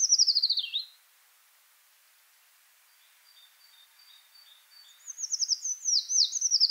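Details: Eurasian treecreeper song in the Wittlicher Tal: a high descending trill ends, a quiet pause with faint thin notes follows, then a new rapid, very high wavering phrase of tumbling notes begins.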